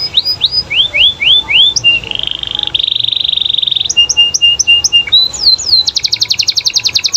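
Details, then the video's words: Canary singing to get other canaries to answer: a run of descending slurred whistles, then a long dense buzzing trill, evenly spaced paired chips, swooping notes and a fast high rattle at the end. "Suara Kenari Gacor Bikin Kenari Lain Terpancing Untuk Nyaut"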